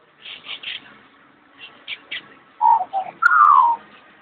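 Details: Talking magpie with soft breathy chattering notes in two groups of three, then louder clear whistles ending in a long falling whistle.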